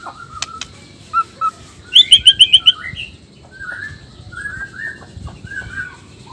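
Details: Male white-rumped shama of the black-tailed Nias form, singing to rile other males. Isolated whistles, then a quick burst of six bright, evenly spaced notes, then softer warbled slurred phrases.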